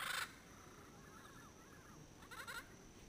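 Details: Yellow-headed Amazon pair calling at sunset in Caribbean pines near a ranger station in Belize's Payne's Creek National Park, late January 2012, about 100 yards off; a short grating squawk opens, then a brief nasal, rasping call near the end amid quiet hum.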